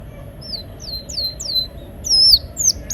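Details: Canary song in a rolling, 'gacor' style, used to coax silent canaries into singing: sparse high whistled notes that slide downward, spaced irregularly, growing louder and faster near the end over a low steady hum.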